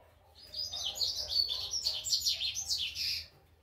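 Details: Young rusty-collared seedeater practising its first song notes: a continuous jumble of high, rapid, scratchy chirps and twittering warbles lasting nearly three seconds, with a faint low background hum.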